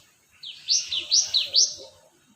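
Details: ['Short burst of cinereous tit song used to lure birds: three quick paired notes, a lower note followed by a piercing higher one, repeated rhythmically over about one second against a quiet background.']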